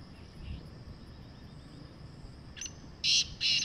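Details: Wild black francolin calling outdoors: a steady background hiss, then three harsh, buzzy, grating notes in quick succession near the end, the last two loud and clipped, about half a second apart.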